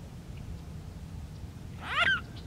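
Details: Mute swan recorded making an interesting noise: after two seconds of low-level background rumble comes a single short, reedy, harmonic call with a rise and a fall.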